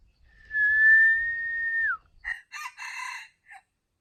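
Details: Chicken crowing, a bantam or decoy bird: one long, steady, high drawn-out note that drops at the end, followed by short broken harsh syllables, with little background noise.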